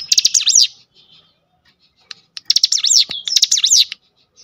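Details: Cinereous tit song played as a lure to stir other cinereous tits into singing: two bursts of rapid, sharp chevron-shaped notes, each phrase sliding up and down, separated by a pause of nearly two seconds.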